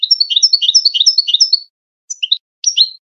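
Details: European goldfinch singing a Wedani-style contest song, used to tutor young goldfinches and hybrids: rapid high twittering notes in a tight run of about 1.6 seconds, then a pause and two short tinkling bursts. No other sounds.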